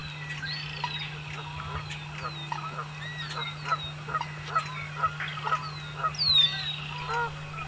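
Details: American coots in a spring marsh, where American wigeons have joined them to feed: a run of nasal honking calls that grows busier toward the end. Other birds give rising whistles, under a steady low hum.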